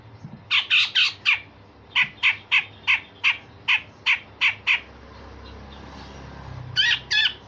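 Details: Grey-cheeked bulbul in full voice, a tutor for other songbirds, producing coarse rasps and sharp shots: a long steady run of harsh, buzzy notes roughly every quarter second, a pause, then two more.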